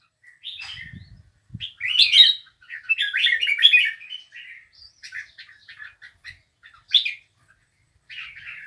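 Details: Bulbul song of chattering, warbled phrases, loudest in the first half, then tapering into softer scattered chips, with a couple of low thuds at the start.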